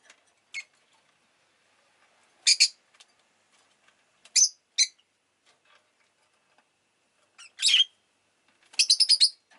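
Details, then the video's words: Rosy-faced lovebird, Agapornis roseicollis, giving spaced, harsh, high chirps singly and in pairs, ending with a quick stuttering series of about five chirps, over faint ticking background. "Lovebird Chirping Sounds"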